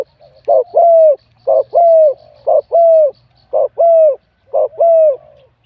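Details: Spotted dove, wild-caught and competing with a medium-to-large voice, point 87: five regular two-part coos roughly a second apart, a clipped note followed by a clear, slightly falling sustained coo.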